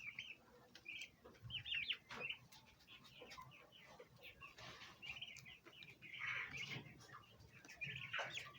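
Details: Many turkey poults chirping together, steady stream of high, piping peeps with intermittent clicks and rustling noise.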